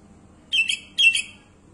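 Sooty-headed bulbul giving two short, bright, bubbly song phrases about half a second apart, over a faint low hum.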